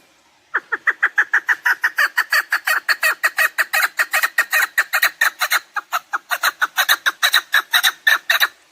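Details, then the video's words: Chukar partridge calling, a recording meant for partridge hunting: a long run of loud, clucking 'chuk' notes, about five a second, steady and unbroken for eight seconds. "Овози кабк кеклик калик пение каклик мастак модкабк"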